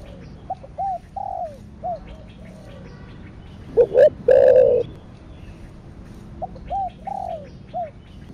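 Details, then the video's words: Two spotted doves calling back and forth in the thổ sấm style: runs of soft, arched coos on either side of one loud phrase of short notes and a long low coo. "Cu gáy THỔ ĐẶC THÚC Kích Bổi . ( THỔ SẤM )"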